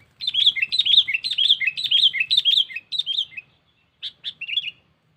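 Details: Sooty-headed bulbul calling a rival, used as a lure sound for catching birds without a trap: a quick run of bright chirpy notes repeated about twice a second for three seconds, a pause, then three more short chirps.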